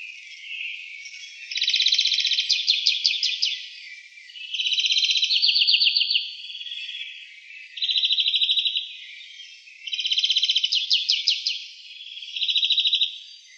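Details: Town-dwelling European greenfinch in Wittlich, 2018, singing a long run of alternating phrases: rapid rattling trills and bursts of twittering notes, each phrase one to two seconds, with brief softer gaps between.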